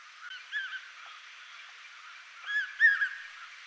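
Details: A common hawk-cuckoo (brainfever bird), a brood parasite resident in the Indian subcontinent, gives two short bursts of shrill, arched whistled notes, three or four quick notes each, about two seconds apart, over steady background hiss.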